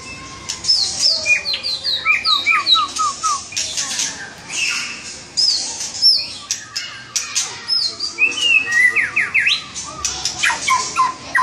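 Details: White-rumped shama, a lively singing bird, delivers a rich, varied stream of quick whistled notes, slurred chips and harsh squawky bursts, mixing high and middle pitches in rapid, uneven phrases.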